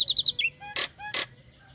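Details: A breeding-condition female Nias hill myna calls the male: four quick high chirps, then two short harsh rasping bursts separated by soft whistles.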